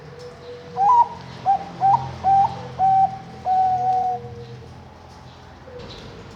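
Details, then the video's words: Zebra dove hatched 21 May 2023 at a bird farm in Kediri, East Java, Indonesia, performing its anggungan song: a rising first coo, three short soft notes, then two longer steady tones with the last drawn out. "Suara Burung Anggungan Bagus"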